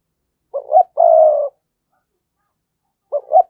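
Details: Spotted dove decoy coo for prompting other doves: one complete phrase of two short hoots and a long husky coo, then after a pause of about a second and a half the two opening hoots of the next phrase.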